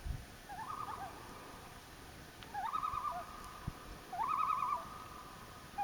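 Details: Common loon near Elliot Lake, Ontario, Canada, on a summer camping trip on July 27, 2015: quavering, rapidly wavering tremolo phrases at a steady middle pitch, two main bouts about one and a half seconds long, with faint background hiss.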